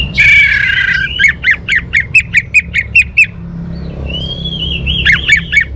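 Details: Orange-headed thrush opening with a dense scratchy phrase, then about ten evenly spaced sharp whistled notes, a pause, a rising drawn-out whistle and more quick notes, over low rumble.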